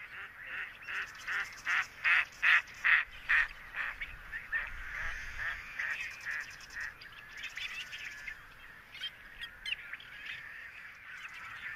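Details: Greater sandhill cranes on their summer nesting grounds in the wet meadows of Modoc National Wildlife Refuge, northeast California high desert, give loud rolling honks, about two or three per second, blurring into a busier chorus of overlapping calls.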